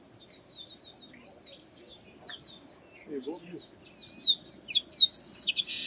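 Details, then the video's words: Chestnut-capped blackbird, the Garibaldi or Baia de Chiqueiro, a busy singer: soft high slurred chirps build into loud bright whistled notes and quick downslurs, ending in a buzzy rasp, with a brief low murmur in the middle. "Garibaldi Cantando"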